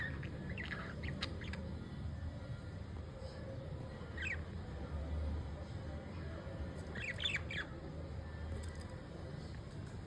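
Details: Two pet budgerigars, a blue male and a pearl, preening each other give short, scratchy chirps and warbles in three brief bursts, near the start, middle and end, over a steady low rumbling hum.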